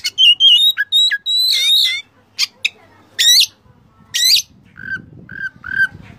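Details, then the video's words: Oriental magpie-robin master song for training caged birds: a quick twisting run of whistled and buzzy notes, then harsh high sweeping calls, then three short, low whistles spaced evenly. "masteran Kacer full isian mewah"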